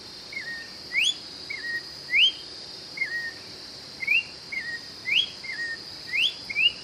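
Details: Brazilian orange-backed troupial (joão-pinto, sofrê) song used to warm up and attract birds. Paired whistles repeat roughly once a second: a short level note followed by a bright upward-sweeping whistle, over a constant high hum.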